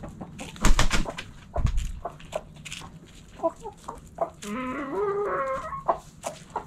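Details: Backyard chickens in their coop, with loud thumps early, then sharp clucks and a long wavering harmonic call from a hen, over rustling and low hum.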